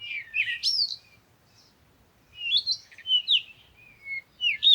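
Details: Bird song of bright, quick whistled phrases swooping up and down, with twittering notes, in two bursts separated by a second of quiet; a nearly silent background.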